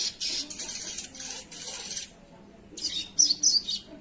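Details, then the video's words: Sogon in full song, described as gacor: rapid runs of harsh, high, rattling chirps, a brief pause, then a fresh burst with sharp whistled accents. "suara burung sogon"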